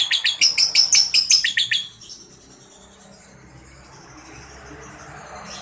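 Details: Young lovebirds under five months, recorded as a lure so other lovebirds answer, give a quick series of bright, repeated chirps for about two seconds before the sound drops to faint background hiss.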